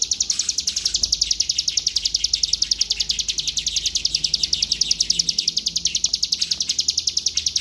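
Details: Ciblek, or bar-winged prinia, associated with Palembang, delivers a rapid, very regular string of shrill, high-pitched notes, roughly three to four each second, held evenly throughout with a quiet rumble underneath.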